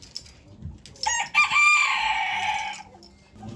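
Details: Chicken at a poultry auction in Ankara, 2023, giving one loud, drawn-out crow of about two seconds. The crow is harsh, with a strained tone, and is followed by muffled voices and the bustle of the auction.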